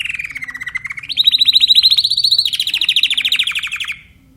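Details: Timbrado canary with a continuous rolling trill: it begins low and dips, leaps higher and holds a rapid pulsing roll, then steps down slightly for a final second before falling silent.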